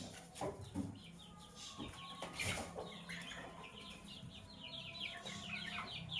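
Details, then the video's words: Sky blue opaline and cobalt lovebirds in the morning, giving quick strings of sharp, high chirps that grow busier toward the end, over a noisy background with low hum and occasional knocks. "Lovebirds Chirping Sounds"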